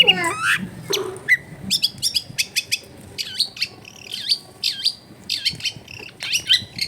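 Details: Long-tailed shrike singing as a lure for a lazy bird, recorded in a crowded neighbourhood: brisk series of sharp, downward-swooping high notes and chips in quick succession, a busy chattering rhythm, with faint household noise.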